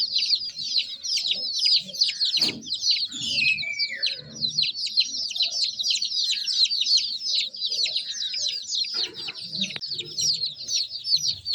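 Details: Baby chickens chirp constantly in overlapping high peeps, each a short downward slide, with one longer descending whistle-like call early on and a few soft knocks and rustles beneath.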